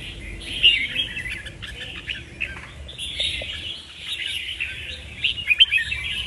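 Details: Quiet, continuous red-whiskered bulbul twittering with a few sharper whistled notes, loudest near the end.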